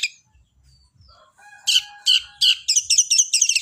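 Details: Long-tailed shrike singing in its sparrow-voiced fighting style, starting after a soft low rumble and faint thin notes: loud high chirps about every 0.4 seconds, quickening into a fast, jangling chatter.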